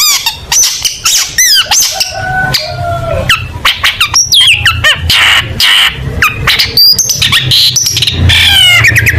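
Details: Varied long-tailed shrike song full of mimicked notes: fast trills, level whistles, harsh squawky bursts and quick rising slurs tumbling together in a busy, continuous sequence.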